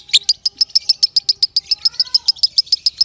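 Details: Lovebird's powerful song used to master young birds: a quick, even series of piercing high chips, around three to four per second, crisp and clearly spaced against a quiet background.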